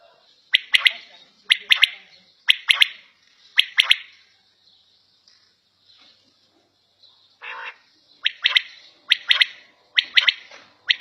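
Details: Quail at home calling in clear three-note phrases, a sharp first note followed by a quick pair, repeated roughly once a second; a short lower buzzy burst breaks the sequence midway.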